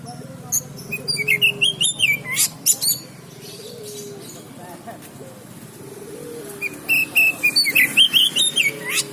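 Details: Oriental magpie-robin trained at a bird market: bursts of quick whistled notes around mid-high pitch with sharp broadband chips, pausing midway, over a low hum and background murmur.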